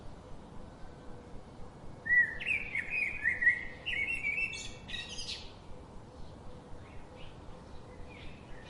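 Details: Birds chirping outdoors: a short burst of bright whistled, warbling phrases around the middle, then a few faint high chirps, over a steady low background hum.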